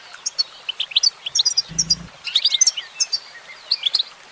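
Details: Female goldfinch singing: quick high twittering chirps and short rising notes in dense bursts, with a brief low humming sound near the middle.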